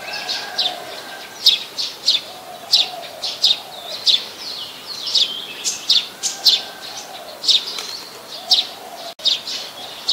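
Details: Rapid, piercing chips from a brown-throated sunbird in Ubon Ratchathani, Thailand, 13 January 2021, Nikon P1000 recording: steady series of short high notes, sometimes doubled, with occasional faint lower tones behind.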